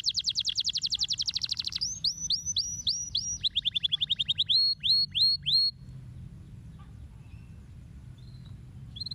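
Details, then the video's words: Canary singing a rapid trilled series of high notes, followed by repeated upward-swept whistled slurs and a faster run of rising chirps, ending in quieter scattered notes over faint low background hum. "MASTERAN BURUNG KENARI HANDAL"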